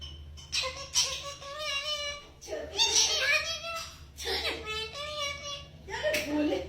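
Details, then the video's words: Pet parrot calls in shrill, high, speech-like phrases, a few short word bursts every second or two, over a low indoor hum, while its owner speaks to it affectionately as mummy bringing tea; parrot. "Parrot Calling Mummy, Parrot Talking"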